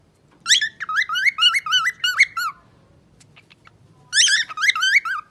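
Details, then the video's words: Pet parrot singing a rapid sequence of bright, bouncing whistles, repeated notes rising and dipping, a pause of over a second, then a second burst of similar looping whistles. "Pappagallo canta bellissimo )) Professional singer - parrot Shu Shu. Singing parrot"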